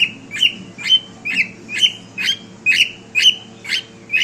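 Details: Pet cockatiel repeating a sharp, bright chirp about twice a second, each note a steep upward sweep ending in a short level whistle, steady and insistent, with a low hum behind it.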